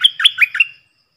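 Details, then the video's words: Bulbul used as a decoy bird, one of four caged decoys recorded in the forest: a quick bubbly phrase of three or four warbled notes, with a slurred whistle that fades out, in a quiet setting. "เสียงต่อนกดอกแตงEp.68 เสียงต่อจากป่าจริงๆ นกต่อ4ตัว!!! Suara merbah lekir gacor"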